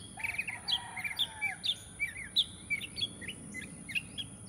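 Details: Bird song in a natural setting: bright, short chirps and rising whistled notes, delivered in quick bursts about every third of a second, over a steady background hiss and a faint constant high tone.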